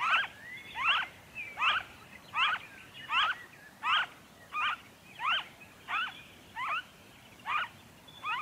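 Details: Noisy friarbird in Victoria, Australia, February 2023: a steady run of harsh, nasal, descending double-noted squawks, about twelve in eight seconds, each with stacked harmonics, evenly spaced over a quiet background.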